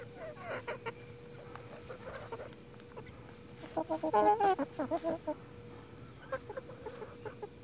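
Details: Plymouth Rock and Hamburg chickens in a relaxing nature setting, giving a run of short harmonic clucks, densest in a loud burst midway, with a steady electrical hum and high background hiss.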